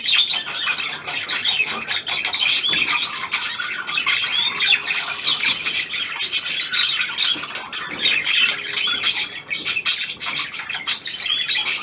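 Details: Long stretch of budgerigar chatter, a new hand-tame pied bird present, recorded 17 February 2023; fast, overlapping high twitters, squeaks and warbled whistles throughout.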